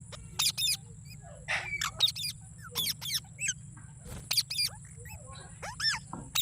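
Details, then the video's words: Green parrot giving sharp, high chirps and short squawks in scattered bursts, some with rising whistled notes near the end, over a steady low hum. "Green Parrot Chirping Sounds /Voice"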